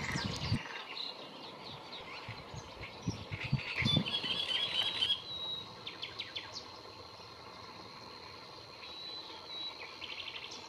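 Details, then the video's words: Great reed warbler singing at the Lagunas de La Guardia, Toledo, on 30 April 2022: harsh, grating notes in choppy rapid bursts, with low thumps and rumble at the start and a thin steady high tone behind. "El canto del carricero tordal"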